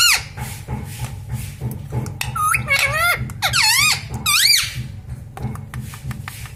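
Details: Talking pet parrot, known for saying mummy, papa, mithu and radhe radhe. Three or four quick, looping syllables rise and fall in high, nasal tones near the middle. Quieter clicks and a constant low rhythmic hum fill the rest.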